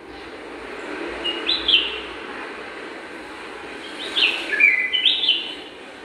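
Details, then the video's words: A pair of bulbuls in a garden, preparing their nest and settling into each corner of it. A short rising-falling chirp comes near 1.5 seconds, then a cluster of three sharp chirps about 4–5.5 seconds, over a soft steady background hiss. "Pair of Bulbul preparing the nest with their lovable voice"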